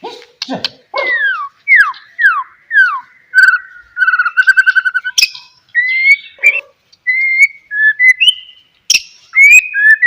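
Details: Singing White-rumped shama, played to coax other shamas to respond: sweeping downslurred whistles, a quick stuttering trill, then spaced clear whistled notes and sharp clicks in varied short phrases.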